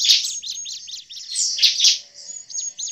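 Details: Short burst of agitated Bar-winged prinia calls, a lure sound: harsh high chirps, then scattered thin whistled notes.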